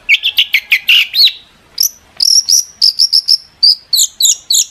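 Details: Long-tailed shrike singing hard as a lure for other shrikes to answer: fast repeated chirps at first, then a brief pause, then thin, high, level whistled notes delivered in quick rapid series.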